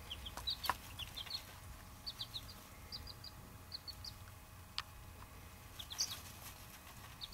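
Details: Baby Buff Orpington and bantam chicks peeping softly, short high upward cheeps in loose clusters with gaps, a faint low hum behind.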